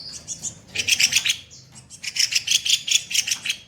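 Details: Masteran material of a kopi-kopi songbird for training other songbirds, tembakan kasar style: loud, rasping volleys of very high, rapid chips, about five per second, in two long bursts split by a short pause.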